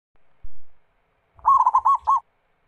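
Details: Zebra dove, a local Indonesian bird, singing a lure song meant to make other doves sing; after a soft thump comes one short phrase of rapid cooing notes near one pitch, ending in a separate final coo.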